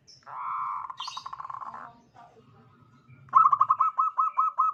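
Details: A local zebra dove's 'crystal'-voiced song, kept for luring other birds, opens with a long rolling, buzzy trill, pauses, then breaks into a fast string of clipped, repeated cooing notes.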